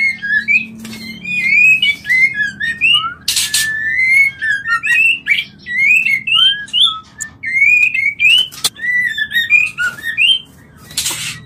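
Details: White-rumped shama mating call used to stimulate breeding: long run of whistled, slurred notes rising and falling, with occasional harsh noisy bursts and sharp ticks between phrases.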